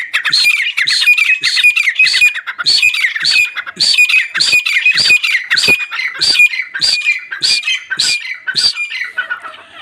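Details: House-raised pet grey francolin in Pakistan calling loudly and repeatedly, with harsh, ringing notes pulsing nearly twice a second in a steady, insistent series.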